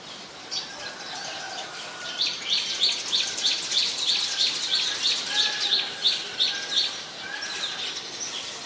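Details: Brown Shrike, a very common winter visitor, in Ubon Ratchathani, Thailand, on 3 January 2021: a fast, even series of short, harsh, high notes, about three a second, runs for roughly five seconds over steady outdoor background hiss.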